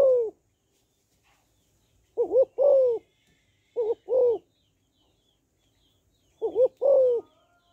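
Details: Female spotted dove calling to stimulate males: four low cooing phrases, each a quick double note followed by a longer, slightly falling coo, spaced by silence.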